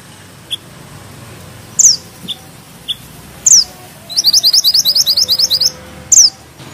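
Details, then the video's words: Bushchat (mantenan gunung) singing vigorously: scattered sharp, high downslurred whistles and ticks, then a fast, regular, very high rolling trill of about a dozen notes and one more sharp downslur. "Mantenan gunung gacor ngeroll rapat,nembak tajam!!"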